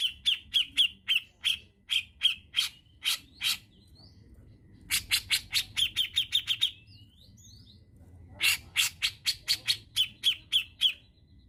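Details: Brown-cheeked bulbul, Indonesian tutor and trigger recording for kept songbirds: three bursts of rapid, harsh, clipped notes with whistled tails, about four a second, separated by short pauses holding a few soft slurred whistles.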